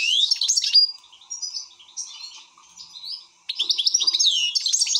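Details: Excited European goldfinch pouring out fast, chattering twitters and ringing metallic notes, easing into quieter scattered chirps, then bursting back into a dense, rapid jangle.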